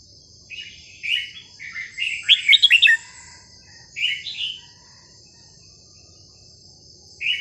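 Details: Red-whiskered bulbul in a cage delivering non-repeating melodious phrases for teaching chicks: a rising warble leading into a fast cluster of sharp chirps, then a lone fluty phrase and a brief note at the end, steady high-pitched background whine.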